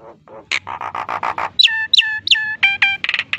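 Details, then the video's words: Captive Nias hill myna imitating human speech: a string of harsh, speech-like syllables, then clear whistled notes dropping in pitch, repeated three times, ending in rapid nasal chatter. "Burung Jalak Nias Gacor!"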